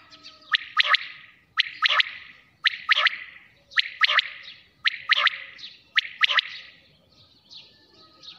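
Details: Nocturnal quail calling: quick, crisp triplets of high notes repeated at roughly one-second intervals, eight or so phrases before the calling fades.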